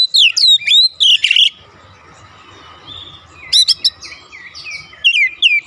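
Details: Oriental magpie-robin song for provoking a response from birds at home: loud whistled notes and a harsh rasp, a quieter stretch with faint low hum, then renewed sharp whistles and slurred phrases.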